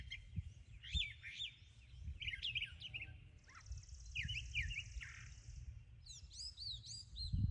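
A brown thrasher runs through a varied string of rich, sliding whistled phrases and chirps, with a brief buzzy note midway and low rumbling background noise.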